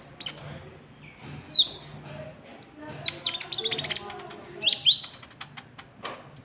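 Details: Lure recording of a white-cheeked bulbul (konin trotol) meant to draw in rivals: bright slurred high notes and rapid chirp clusters, a dense burst in the middle, single sharp notes spaced before and after, faint low hum beneath.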